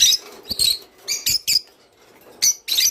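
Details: Java sparrow, song used to trigger mating: sparse, sharp, high chips and short tinkling notes in small groups, separated by quiet gaps.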